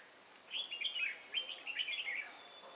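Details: Red-whiskered bulbul fighting song from a trapping session at Chùa Hương, 9 May 2018: a short, lively phrase of warbling, slurred whistles in two or three rapid groups, set against steady insect buzzing.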